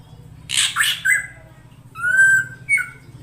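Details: Calling female drongo, used to draw in the male: a harsh double squawk with a clipped whistle, then a long, level whistled note and a brief final whistle, over a faint low hum.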